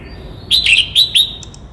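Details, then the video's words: Loud red-whiskered bulbul song from a Cao Bằng bird in Vietnam: a rapid series of four clear, bouncing whistled notes in under a second, ending with two faint ticks. "Tiếng chim Chào mào hót - Chim chào mào Cao Bằng hót cực hay"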